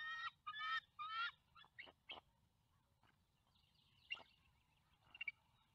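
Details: Bald eagle pair at their nest with two young eaglets, recorded by a live nest camera on 5 February 2020: three loud, harmonic, slightly rising squealing notes in quick succession, then scattered shorter chips and a few faint high notes.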